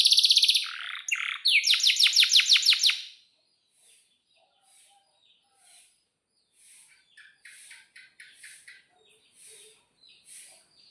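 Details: Canary singing in breeding condition with a long roll: a loud, rapid trill of high buzzy notes pulsing for about three seconds, then scattered faint high chirps and soft twitters.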